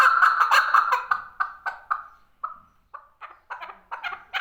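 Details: Male chukar partridge calling: a fast run of loud, hoarse chuck notes that slows and fades into spaced single notes around two seconds, then builds again into quicker, harsher paired chucks.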